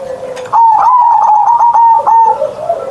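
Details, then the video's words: Caged zebra dove singing in the morning in the loud, deep 'ngerot' style, kept to entertain and to prompt lazy perkutut to sing: a sustained, steady cooing note with a soft fluttering edge after a brief low lead-in. "Perkutut Manggung Gacor Suara Besar"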